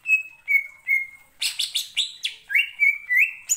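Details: Greater green leafbird singing in full gacor ngentrok style, used as a lure to rouse other birds: level whistled notes, then a burst of sharp, buzzy chips, then more rising whistles.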